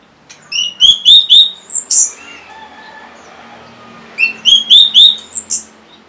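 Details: Orange-headed thrush song played to prompt caged birds that have stopped singing: two bursts of rapid, clear whistled notes with bright harmonics and a high slurred note between them, followed by a quiet pause.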